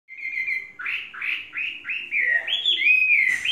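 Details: Tame Chinese hwamei, three seasons old and described as faultless, sings a string of loud whistled phrases: a long steady note, then a run of rising-falling slurs repeated about three times a second, ending in higher sweeping whistles.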